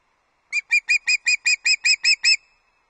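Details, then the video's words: On 31 August 2022 at Loch Arkaig, an osprey arriving at the nest with breakfast gives ten quick, sharp whistled chirps in an even rhythm over under two seconds, with silence before and after. "Business as usual! Louis the Loch Arkaig Osprey delivers an early breakfast 31 Aug 2022"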